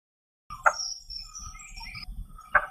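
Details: Blue-bearded bee-eater in the Western Ghats forests giving its territorial call, heard far and wide and likened to tree-chopping: two short, harsh, croaking notes about two seconds apart, with thin high whistles from other birds behind.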